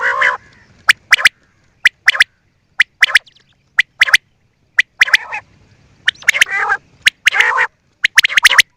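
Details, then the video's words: Quail giving harsh, nasal, harmonic croaks mixed with many sharp dry clicks, repeated about once a second in an uneven rhythm. "New and nice sound of quail"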